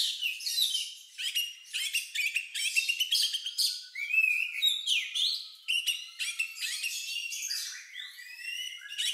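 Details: Oriental magpie-robin singing an unusual, lovebird-like song of bright whistles, rising slurs and scratchy chatter, high-pitched and nearly continuous with brief pauses.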